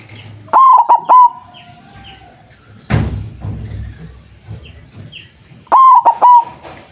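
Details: Loud-voiced white zebra dove, known locally as perkutut putih, used to lure wild doves: two three-note cooing phrases, one at the start and one at the end, with a sharp thump in between.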